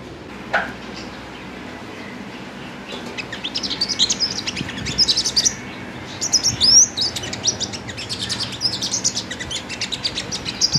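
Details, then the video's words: A kept five-coloured sunbird sings a rapid, very high, thin twittering of sharp chirps and trills in quick bursts, over a faint low rumble. "Tiếng hút mật 5 màu chuyền hót,líu"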